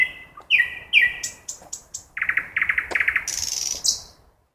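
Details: ['Nightingale singing at night in a forest. Varied phrases of clear whistles, some sliding downward, lead into fast repeated throbbing notes and end in high, hissy buzzes.']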